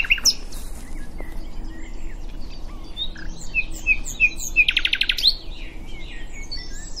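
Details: Common nightingale song at Diddington mixing varied whistles and chirps with a short buzzy rattle midway, amid a busy chorus of other songbirds.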